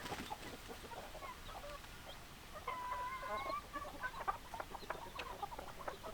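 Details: Chickens, hens and roosters together: scattered mid-pitched clucks, then a drawn-out smooth tonal note held for about a second midway, followed by more rapid clucking.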